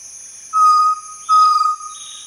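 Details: Chestnut-necklaced partridge calling with a pair of pure, level whistles, each lasting under half a second with a brief gap between them, against steady high-pitched insect hum.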